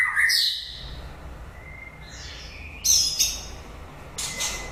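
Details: White-rumped shama singing at the end of the breeding season: a loud burst of clear whistles sweeping down from high to mid pitch, then a quiet pause, a short steady whistle, and harsh buzzy bursts with bright high notes.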